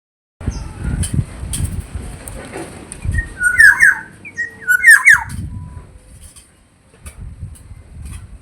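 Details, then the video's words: Black-naped oriole, found in many regions of Indonesia: two short fluty whistled phrases about a second apart, each a quick liquid slurred figure, over steady low rumbling traffic-like background noise. "Suara burung kepodang jawa"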